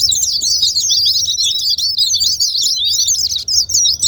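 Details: Rapid, high, jumbled warbling from a white-eye, used to stimulate quiet white-eyes to sing, running almost continuously with only tiny breaks.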